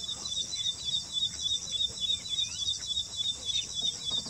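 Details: In Assam, India, an ashy prinia sings, its song unlike that of southern birds: a fast, regular string of high, sharp notes, about three a second, carried on above a continuous shrill insect hum.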